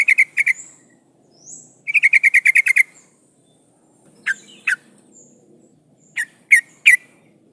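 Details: A breeding-condition female sooty-headed bulbul calls to attract a male. She gives a short double note, then a rapid burst of about eight chattering notes. Scattered sharp single notes follow, over a quiet low background murmur.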